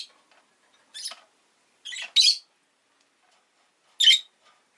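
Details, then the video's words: Rosy-faced lovebird, a pet, uttering loud rasping high chirps in quick bursts, a double note near the middle and a single one near the end, otherwise quiet. "Lovebird Chirping Sounds"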